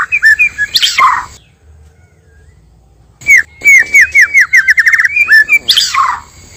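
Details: White-rumped shama, male and female, played as a lure for trapping: warbled notes and a harsh burst, a silent gap, then a fast series of falling slurred whistles and a closing rasp.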